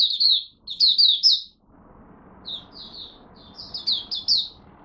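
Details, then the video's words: Morning warm-up song of a kept Malaysian oriental white-eye, 1 August 2023: two quick clusters of piercing high chirps, a quieter gap with background noise, then softer, sparser twitters building again. "Malaysian Mata Puteh Buka Sing Poseidon 1st warm up for the day"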